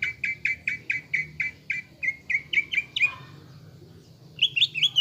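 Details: Greater green leafbird in gacor lure song used to rouse a caged bird into a fighting mood: a steady series of clear whistled notes, about five per second, then a higher, quicker warbled phrase over low background hum.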